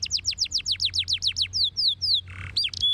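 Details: Canary in song, played so other canaries answer: a rapid series of steep falling notes, then three longer level whistles, a short harsh buzz and a closing high note.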